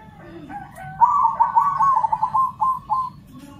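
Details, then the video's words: Local and crossbred zebra doves answering one another, all joining in: a rolling, warbled coo around one pitch, beginning softly then breaking into a rapid bubbling run of linked notes for about two seconds, over a low steady background hum. "Suara perkutut lokal dan crosing saling sahut rame semua ikut bunyi"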